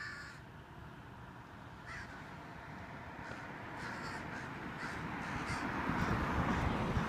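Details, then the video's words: Large crows mobbing and driving off a hawk with a three-foot wingspan near their colony; scattered harsh caws, a few isolated then a quicker burst later, against rising low-frequency wind-like rumble. "crows harass hawk"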